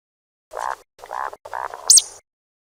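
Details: Three evenly spaced, harsh, nasal notes from a grey francolin, followed by one sharp, very high squealing whistle, in clean silence.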